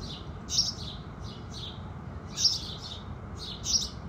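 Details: House sparrows singing at sunrise in the morning. Three louder chirp clusters stand out, each with softer chirps around it, against a low background rumble.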